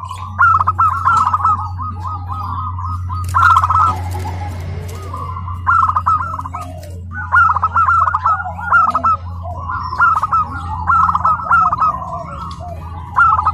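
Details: Tame local zebra dove at a bird-singing contest in Karawang, giving repeated bubbling, trilled coo phrases in bursts, with a brief loud rustling break midway and constant low hum behind.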